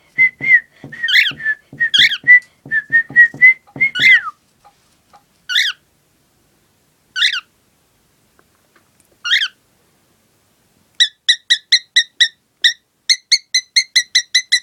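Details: A pet male cockatiel, coaxed to sing his favourite song, sings clear whistled phrases and sharp chirps, ending in a fast run of repeated piping notes.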